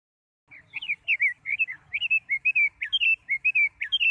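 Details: Female Chinese hwamei, paired with a female ngũ sắc bird, singing to stimulate males: a quick, uneven run of short whistled and warbled notes, sliding up and down, about two per second, with a faint low rumble beneath.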